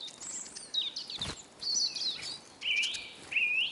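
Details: Eurasian siskins feeding at a bird table in Kolmården, Sweden, recorded close from the ground: overlapping high twitters, then two loud upslurred whistled calls near the end, with a sharp tap early on.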